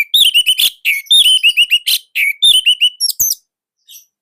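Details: Loud, compact song of an orange-headed thrush in Indonesia, used to teach other birds to sing: a continuous stream of rapid, ringing slurred whistles with a few sharp higher notes, ending in scattered chips.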